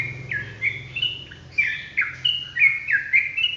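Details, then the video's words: Fast ropelan phrase from a sooty-headed bulbul. Bright whistled notes, each sliding downward, are strung together almost without gaps, roughly four per second, over a soft low hum. "TRUCUKAN ROPELAN GACOR"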